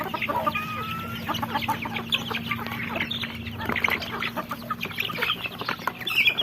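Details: Chicks, little chickens, peeping in a busy overlapping chorus of high short notes, with a steady low hum running underneath most of the recording.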